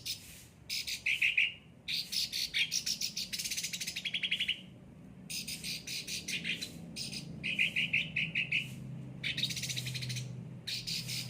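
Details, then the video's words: Caged, well-cared-for cucak ranting singing energetically: bursts of harsh buzzy notes alternate with quick, even trills, with short pauses between phrases and a faint low hum underneath. "gacor cucak ranting"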